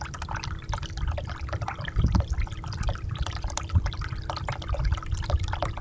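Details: Rapid splashing and trickling water with a few deeper thumps in the middle, and no calls.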